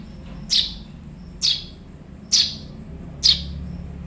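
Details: Juvenile Eurasian tree sparrow chirping for use in training songbirds: four clear, high, sharply falling chirps spaced about a second apart against a quiet background.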